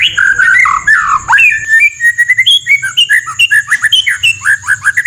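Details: White-rumped shama master song full of rough rapid-fire phrases: loud rich warbling opening, then a fast run of short varied whistled slurs and chips, about two per second, over a faint low hum.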